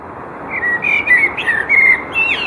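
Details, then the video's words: A common blackbird sings a run of mellow, fluted whistles that wobble up and down in pitch over about two seconds, against quiet background hiss. "Чёрный дрозд / Blackbird"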